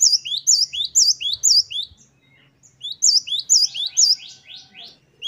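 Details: Great tit giving a 'wucit-wucit' song variation used for training caged birds. Rapid high, hooked double notes repeated in two bursts, the second trailing into a descending run of short slurred notes.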